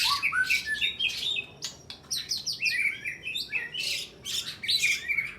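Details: Contest-singing white-rumped shama in the stooping 'nyujud' fighting style, pressing its opponent with a rapid stream of sharp whistled notes, chirps and harsh bursts copied from small birds, loud and continuous.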